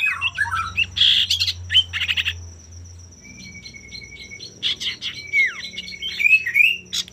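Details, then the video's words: Male common iora song meant to spur rival birds to sing: busy chattering and buzzy notes, a pause with a soft repeated whistle, then a long sustained whistle broken by quick slurs, over a low hum. "pancingan burung sirtu/cipoh gacor jantan bikin lawan ikutan gacor"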